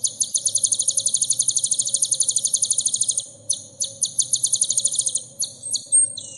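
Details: High-pitched sunbird song used as training material for caged birds: fast buzzy trill for three seconds, then a broken run of thin chips and short trills with brief gaps, ending in a sharp whistled note.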